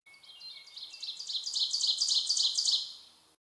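Ovenbird song: a quick chant of bright, high two-note "teacher" phrases that grows steadily louder, ending almost shouted. A faint steady whine sounds at the start.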